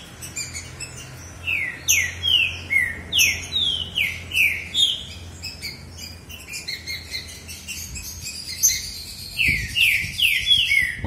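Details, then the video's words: ['Green-winged saltator males singing against each other, a long phrase of regularly spaced, slurred downward whistles, then a quieter stretch and a fresh burst of rapid notes at the end.'] "O Alquimista dos Trinca Ferro! Mostrando essa disputa de alto nível!"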